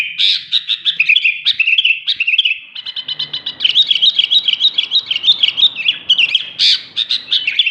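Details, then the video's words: Energetic song of a sooty-headed bulbul: rapid, rolling chatter of bright notes that climb and dip, delivered almost without a break, with a brief pause midway and faint low rumbling behind. "BURUNG KUTILANG SUPER GACOR"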